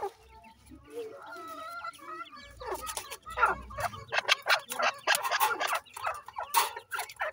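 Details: Grey francolin chicks feeding, with soft trilled chirps at first, then a dense run of loud, rapid clucks and clicks, several per second, over low rumbling noise.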